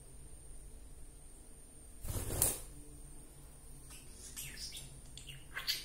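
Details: Momo, a male budgerigar that "talks" when hearing people or music, gives soft, warbling chatter, with a brief rustling burst before the calls.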